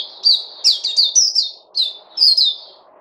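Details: ['High, sweet chirping notes from a singing bird, some clustered in fast doublets and triplets, separated by short gaps.']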